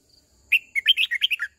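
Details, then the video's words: Red-whiskered bulbul singing as a decoy to call the flock and train young birds. A single fast run of clear, warbled whistles bounces up and down in pitch. "Tiếng chim chào mào mồi hót gọi bầy đàn, hót luyện giọng cho chim bổi, má trắng"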